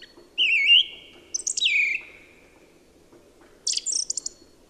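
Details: One song thrush singing, heard in the woods of an evening around Birmingham and the Black Country: a clear warbled whistle, a swooping descending phrase, then a high thin twittering burst, with a faint steady low hum.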